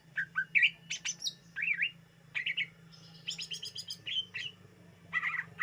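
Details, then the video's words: Greater green leafbird song meant for bird luring: varied chirps, squeaky whistles and buzzy high bursts in quick succession over a steady low hum. "SUARA BURUNG CUCAK IJO UNTUK PEMIKAT DIJAMIN TERPIKAT"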